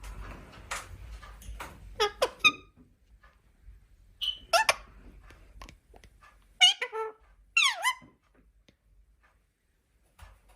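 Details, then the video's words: Pet Indian parrot, described as a talking bird, heard indoors giving sharp harmonic squawks and short speech-like syllables in bursts, some notes sweeping steeply downward, with quiet pauses between. "Talking Parrot / Parrot Birds Sound / Indian Parrot"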